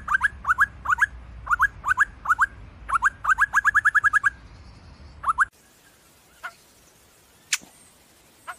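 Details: Sumatran laughingthrush, also called black-and-white laughingthrush: loud, clear, upslurred whistled notes in quick bursts of two to six, repeated for about five seconds, then a quieter stretch with a few isolated sharp notes.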